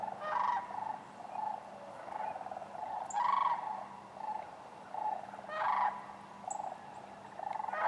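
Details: Rolling, bugling rattles of sandhill cranes at Wheeler Wildlife Refuge in Decatur, recorded January 12, 2013 with other waterfowl present; loud trilled calls with rich overtones ring out over a constant purring flock background.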